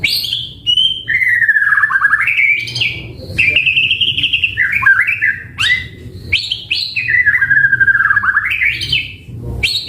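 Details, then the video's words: White-rumped shama song used as a lure recording for training caged birds: long varied whistled phrases sliding between low and high notes, with rising and falling sweeps and short sharp high accents, continuous over steady low background hum. "Pancingan Murai Batu AUTO NYAUT Langsung RESPON Bunyi - Masteran Suara Burung Murai Gacor Full Isian"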